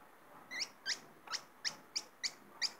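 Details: A hooded siskin caught for its song gives a steady series of seven short, upward-sweeping chirps about a third of a second apart, with a quiet hiss beneath.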